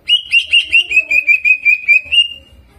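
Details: Greater green leafbird singing with rolling and mimicry: about ten loud, evenly spaced whistled pulses on a nearly steady pitch, delivered rapidly over two seconds.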